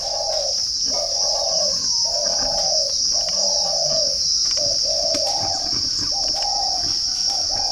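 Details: {'caption': 'Spotted dove kept at a bird garden in Ba Vì, Hanoi, Vietnam, giving about ten soft coo notes in uneven phrases, some doubled, against a constant shrill insect chorus.'}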